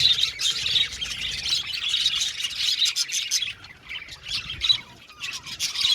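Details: Budgerigar colony of 70 pairs in an aviary: dense continuous chorus of overlapping high chirps and warbles from many birds, swelling and easing in waves.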